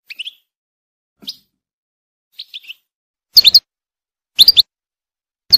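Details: Wild European goldfinch in a forest: short bursts of high, tinkling twitters about once a second, the last ones much louder and sharper, with silence between.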